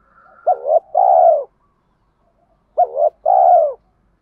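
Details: Two matching spotted dove phrases, about two seconds apart, used to stimulate doves in training; each is a wobbling short note then a long rounded coo, clean with no other sounds.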